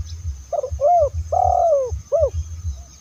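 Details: Lure call of a spotted dove: soft lead-in note, arched coo, long sliding coo, then a short arched coo, with regular low-pitched thumps in the background.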